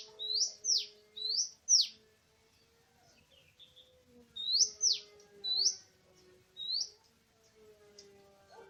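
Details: Oriental magpie-robin singing in wild forest during bird trapping, 24 March 2017. Bright high whistles that rise and then drop sharply, given in two groups of three with a quiet gap between, over a continuous low droning tone.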